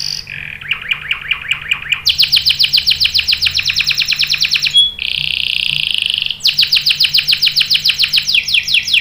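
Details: Prolific canary giving a lure song meant to set other canaries singing with long rolls: quick chopped trills, a high fast rattle, a smooth buzzy stretch with a pure note, then another rapid rattle.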